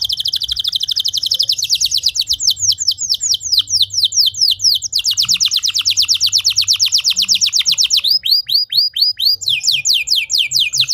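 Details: Canary singing, played to train other canaries to sing long: continuous high trills alternating with runs of downward slurred notes, loud and unbroken for eleven seconds.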